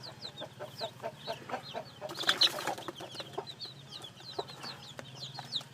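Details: Chicks, newly hatched, giving faint high descending peeps amid softer clucks, with a short broadband rustling burst midway and a low steady hum underneath.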